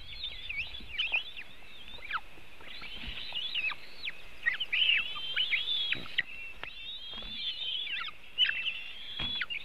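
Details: White-tailed eagle nest in Latvia, filmed by webcam on 24 June 2018 at 3:23 pm as a large fish is brought and the eaglets are fed. Thin, high, wavering whistles with sharp downward slurs repeat almost without pause over faint low rumble.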